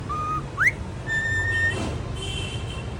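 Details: Cockatiel named Jacky whistles clear, pure notes in the morning: a short steady tone, a quick rising sweep, then a longer held note. Finding: Cockatiel.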